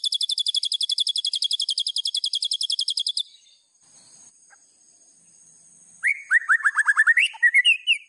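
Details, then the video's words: White-rumped shama in agitated full song as a training master, with fill phrases: a long, very even high trill, a lull, then a series of rising whistled slurs. "MASTERAN MURAI BATU GACOR !!! FULL ISIAN LANGSUNG EMOSI !"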